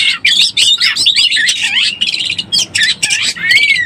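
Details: Oriental magpie-robin in breeding condition, heard as a lure call: dense run of sweet whistles, harsh chattering bursts and slurred notes, ending in a clear rising-then-falling whistle, all high-pitched and continuous.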